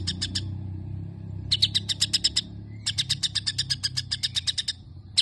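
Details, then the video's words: Long imitated sparrow passage from a white-rumped shama: three runs of quick, sharp chirps, each run lasting about one second, separated by short pauses, with a faint low hum behind. "Cungko isian gereja panjang"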